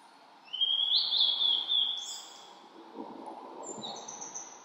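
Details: In spring mountains on a cloudy 14°C day after rain, a Blue-and-white flycatcher sings a long, bright, wavering high whistle, followed by quieter, thin, very high notes, with low background rumble.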